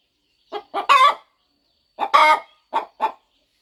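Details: A hen settling on her nest ahead of hatching gives two short bursts, each a pair of soft clucks followed by a longer, louder drawn-out cluck.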